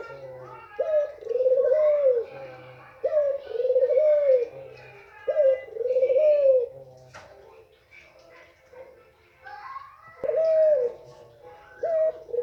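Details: White female Barbary dove uttering its call meant to excite males. Brief clipped notes lead into drawn-out, quavering coos repeated roughly every two seconds, followed by a quieter stretch with faint background sounds.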